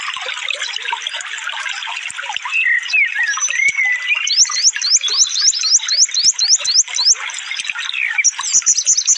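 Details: Sunbird ('konin') masteran track in rapid shooting style: a jumbled warbling opening, then a quick series of about a dozen sharp rising whistles packed close together, chirping continuing afterward.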